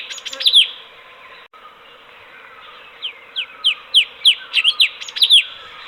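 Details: Master-bird song of a caged sooty-headed bulbul: a buzzy chattering start, a silent gap, then a run of clear falling whistles that speeds up and closes with harsh, scratchy notes.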